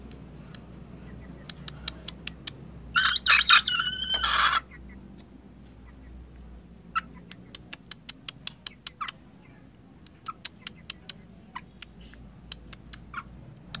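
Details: Juvenile Ayam Ketawa rooster aged two and a half months, prompted to crow with a cricket: a single raspy, pulsing crow lasting about a second and a half, set among scattered sharp clicking taps before and after in a quiet setting.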